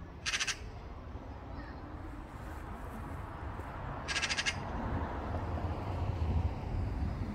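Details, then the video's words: Black-billed magpie calling: two short, harsh, rasping bursts, one near the start and one about four seconds later, over a steady low rumble of background noise. "Magpie Call | Magpie Sound | Magpie Song | Black Billed Magpie Call"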